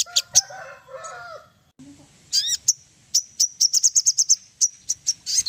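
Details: Ruby-throated bulbul lure song to trigger singing: lower warbled whistles and a few sharp clicks first, then a run of quick, bright high chips repeated several times a second.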